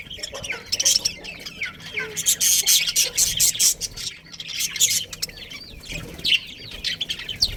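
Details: Budgerigars from a breeding pair in a colony chattering: dense, rapid twittering and warbled squiggles, with loud broadband bursts clustered around the middle and toward the end.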